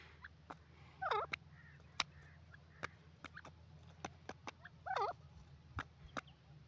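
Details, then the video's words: Grey francolin (dakhni teetar) calling: a few faint, harmonic notes that bend up and down, two clearer phrases near one and five seconds, with scattered sharp clicks and a low steady hum. "dakhni teetar ki awaz"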